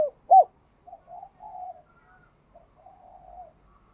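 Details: Spotted dove, bell-voiced 'đồng chuông' style. A single loud, hollow coo near the start gives way to long, soft, murmuring coo phrases.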